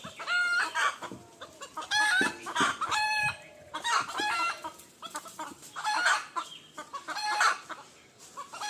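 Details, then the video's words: A chorus of roosters crowing at dawn, with overlapping strident crows from more than one bird and busy clucking throughout, the calls tumbling over one another almost without pause. "Roosters Crowing Compilation"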